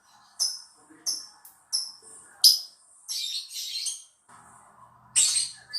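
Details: Lovebird lure recording intended to set other lovebirds singing: a series of sharp, high two-toned chirps about every two-thirds of a second, followed by harsher chattering bursts and a final loud squeaky burst.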